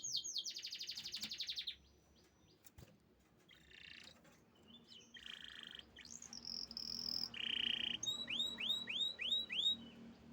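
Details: Canary singing a varied song: a fast high trill, pauses, buzzy rolled phrases and a steady mid-pitched trill, ending in a run of about seven quick rising whistled sweeps; little background noise.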